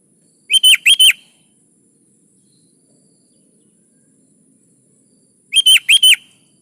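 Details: Kutilang 'gacor' song, used as a master recording for lazy caged sooty-headed bulbuls: two phrases five seconds apart, each four clear, evenly spaced whistled notes in quick succession, in a quiet background.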